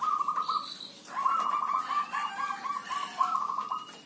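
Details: Many zebra doves sounding together. One gives a short rolling trill, then a long run of rapid beaded coos with small pitch steps. A brief high whistle from another bird comes early on.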